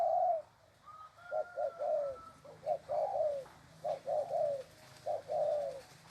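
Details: Tethered spotted dove cooing eagerly, giving repeated low, soft coo phrases of two or three notes ending in a longer falling coo, with a faint high whistled tone near the start.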